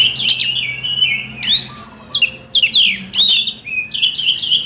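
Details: Oriental magpie-robin lure song, known locally as kacer pikat, meant to stimulate quiet birds into full song: rapid whistled trills and scratchy sweeps in quick bursts, with a faint low hum beneath.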